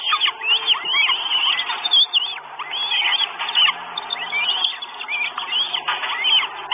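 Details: Northern goshawk chicks, four at the nest, asking for food in Estonia on 1 June 2022, live nest camera: looping, rising and falling thin whines, several birds calling over one another almost without pause.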